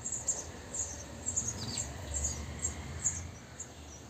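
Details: Newly hatched sparrows, three days old, begging as the parents deliver insects inside a bird house: quick strings of shrill, very high peeps, uneven in rhythm, with one faint falling call and low background rumble.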